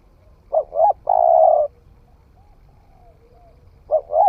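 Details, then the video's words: Newly cooing spotted dove on a forest trial, giving a full three-part phrase, two quick low notes then a drawn-out coo, a soft faint call in the pause, and the two opening notes starting again. "Tiếng chim cu gáy mới nổi thử rừng"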